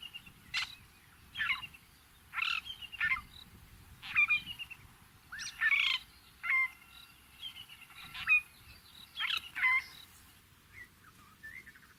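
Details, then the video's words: Fork-tailed drongo, also called common drongo, filmed in natural habitat in Africa; a series of short harsh, scratchy notes mixed with brief clear whistled sounds, repeated in bursts about once a second across twelve seconds. "Fork-tailed Drongo"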